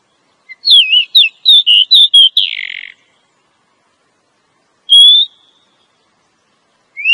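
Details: Female Oriental magpie-robin calling to draw a male: a run of wavering whistled notes ending in a harsh rasp, then a single clear whistle after a pause.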